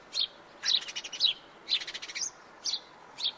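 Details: Sharp high chirps from a house sparrow, spaced singles broken by a rapid run of clipped notes in the middle, against a faint steady hiss.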